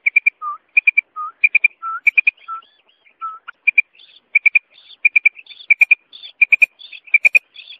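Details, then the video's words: Calls of a female common quail from a hunting setting, with brisk groups of two to three sharp high clicks alternating with low slurred whistles and, later, buzzy rasping notes between the triplets. "New mada batair ki Kamal awaz"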